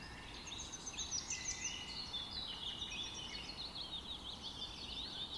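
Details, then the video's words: Bay-headed Tanager: a busy stream of thin, high chirps and twittering notes, several overlapping, over a steady hiss of background noise. "Bay headed tanager"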